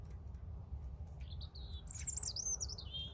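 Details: European robin delivering a bright phrase: a short thin whistle, then a rapid tumbling run of high wavering notes ending in a falling slide, over steady low background noise.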